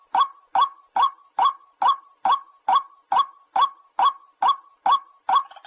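A white-breasted waterhen gives harsh, croaking notes, about two or three a second in a steady, even series. No other sounds are heard.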